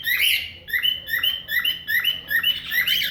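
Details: Cockatiel imitating a car alarm: a looping series of bright whistled, siren-like notes, each rising sharply then falling, repeated about twice a second with a faint low hum underneath.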